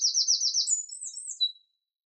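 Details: Eurasian wren song: a rapid, very high buzzing trill followed by thin whistled notes that fade out, with silence afterwards.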